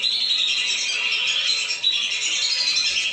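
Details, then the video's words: Calls of lesser whistling ducks, from a lure recording used to bring the birds down: a thick, steady chorus of piercing whistled and squeaky notes from many birds, without breaks. "SUARA PIKAT BURUNG BLIBIS"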